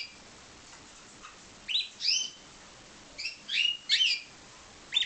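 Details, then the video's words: Pied Timbrado canary, bred in captivity, giving short high chirping notes in loose clusters, some paired and quickly repeated, with quiet pauses between groups and a faint background hiss. "Timbrado canary"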